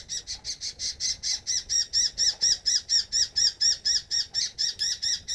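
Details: Baby oriental magpie-robin at a family home calling for its mother to feed it: harsh, scratchy squawks repeated steadily about twice a second, each a short rasping burst, with no other clear sounds.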